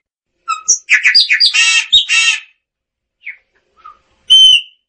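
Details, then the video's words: Gnorimopsar chopi singing: a burst of jumbled whistles and harsh buzzy notes, then a few soft isolated notes and one ringing clear whistle at the end. "Tordo Chaqueño Cantando - Chopi Blackbird Singing - Gnorimopsar Chopi"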